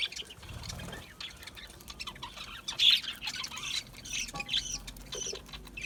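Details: Aviary budgerigars chattering: scattered squawky chirps and short warbled notes from several small parrots, quieter at first, with a louder burst near the middle and low background rumble early on.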